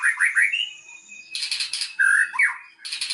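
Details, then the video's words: White-rumped shama song played as a lure to prompt singing: quick upslurred whistles and a long steady tone, then dense scratchy trills mixed with loud slurred whistles, all varied and continuous. "pancingan murai batu macet langsung buka materi"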